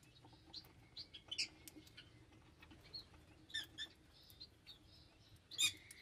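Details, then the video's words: Lovebirds give sharp, high chirps and squeaky chattering notes in irregular bursts, with a few louder shrieks and short pauses between them. "Love Birds Nature Sound"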